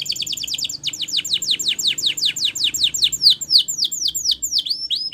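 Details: Spanish Timbrado canary in training song, a continuous run of rapid downward-slurred notes slowing into spaced, bell-like falling sweeps, high and metallic.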